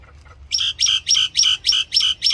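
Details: Common myna singing, a steady series of seven loud, clipped, squeaky chirps spaced about a quarter second apart, each sharp and rich with overtones, after a brief quiet start.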